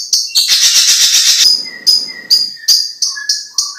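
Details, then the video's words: Green leafbird song used as a masteran tutoring recording: a dense high buzzy trill for over a second, then sharp high chips alternating with short lower whistled notes, roughly every half second. "Masteran Suara Cucak Ijo"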